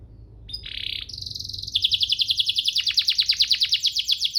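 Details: Training master song of a canary: a brief buzzy rolling phrase opens, followed by a steady high trill, then a long run of quick descending notes repeated several times per second.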